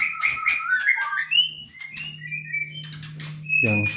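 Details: White-rumped Shama (murai batu) kept in a cage for breeding at a local farm with males and females; quick whistled phrases and bright slurs over a steady low mechanical hum, ending with a harsh burst.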